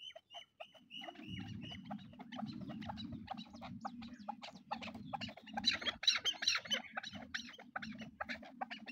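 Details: A pair of hunting chukar partridges give rapid, repeated clucking chatter, about two or three notes a second, with sharper high notes later and a low hum underneath.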